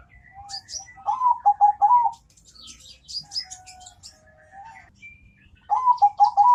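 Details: Zebra dove with a deep, thick, pleasant-sounding song: bursts of rapid rolling coos repeated in quick trills, pausing between phrases, while other small birds chirp and twitter at high pitch throughout.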